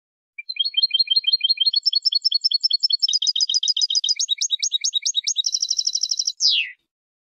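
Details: Long twittering song from a European goldfinch: lively, tinkling high notes speed up through varied chattering figures into a fast buzzy trill, closing with a quick descending slur.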